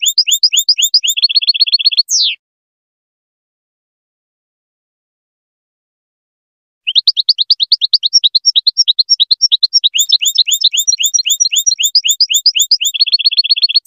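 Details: European goldfinch song played to teach young goldfinch chicks to sing: fast bursts of high, sharp chirps and rapid repeated trill notes, a long silent break midway, then dense twittering with buzzy repeated notes resuming.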